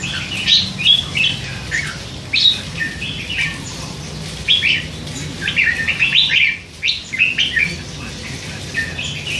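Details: Red-whiskered bulbul, a hand-fed youngster of three months, kept in a cage and chattering throughout the day; lively phrases of sharp chirps and warbles come in uneven bursts with brief quiet gaps, set against soft low-pitched background noise.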